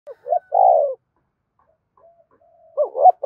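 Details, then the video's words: Spotted dove cooing used to stimulate fighting: two short rising notes then a long throaty descending coo, with a partial phrase starting at the end. "Tiếng chim cu gáy thúc đấu kích bổi hiệu quả giọng hợp bổi"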